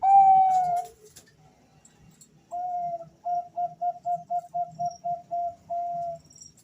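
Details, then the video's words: Male zebra doves of the Bangkok type calling back and forth: one long mellow coo, a pause, then a rapid string of about ten short, evenly repeated whistled notes ending in a held note. "Perkutut Bangkok gacor suara panggilan dua perkutut Jantan saling Bersahutan"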